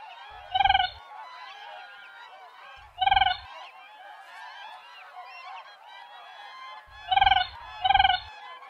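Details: Siberian crane uttering four loud, trilled, ringing calls at uneven intervals, two of them close together at the end, over a steady background of fainter calling.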